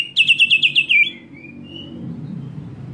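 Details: Quick volley of seven shrill, downslurred notes in under a second from a greater green leafbird provoking other leafbirds, trailed by a faint thin note and low background rumble.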